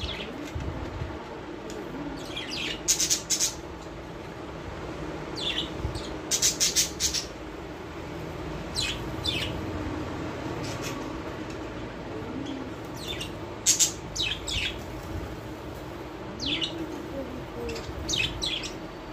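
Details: Budgerigars playing in a cage in the morning chatter with sharp, scratchy chirps and warbles in quick bursts.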